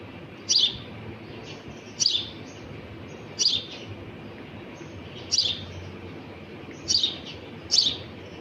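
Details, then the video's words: Sparrow chick calling its mother for food as she brings it something to eat: short sharp high chirps, six in all, spaced about one to two seconds apart over quiet background hiss. "چڑیا کی چہچہاہٹ"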